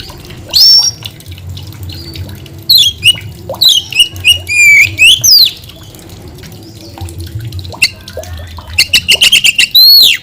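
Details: White-rumped shama singing varied phrases: a loud whistle early, then descending slurs and twisting trills, a quiet gap, and a rapid pulsed trill closing the clip.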